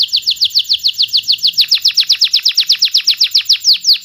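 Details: Loud canary lure song for birds that went quiet, with a continuous run of rapid downward-sweeping whistles, roughly five to six per second, tempo quickening partway through.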